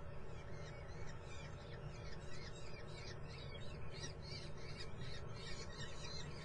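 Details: Young common kestrels in a Muttenz nest produce a steady stream of harsh, high squawking squeals, closely packed notes over a persistent deep background drone.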